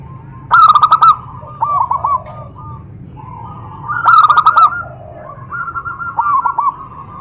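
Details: Zebra dove whose call stirs rival doves to reply at once. Two loud bursts of quick, stuttering coos about three and a half seconds apart, with softer answering doves cooing between them.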